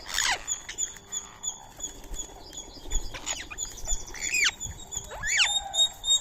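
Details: Indian ringneck parakeet feeding on soaked rice and corn meal beside a squirrel; loud harsh arched calls stand out near the end, over a steady high pulsing background tone and faint scattered chirps.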